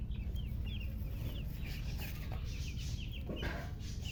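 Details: Just-born chicks chirping: thin, quick descending peeps repeated in a busy stream, half buried under loud broadband hiss and a deep droning hum.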